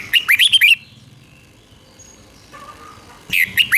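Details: Red-whiskered bulbul kept in a cage in Thailand, a southern-style song meant to rouse other birds: two brief, bright chattering whistle bursts at the start and end with a quiet gap between.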